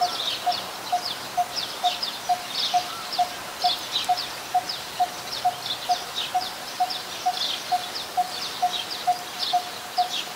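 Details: Coppersmith barbet, a very common resident, recorded in Ubon Ratchathani, Thailand, on 2 January 2021: about twenty-three even, low tuk notes repeated roughly twice a second, over a busy backdrop of high chirps from other birds or insects.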